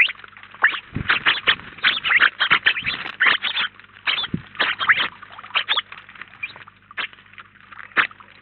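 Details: House sparrows at a Collado Villalba feeder in Spain, a flock of roughly nineteen, chirping loudly and rapidly in a dense run, thinning to scattered calls toward the end.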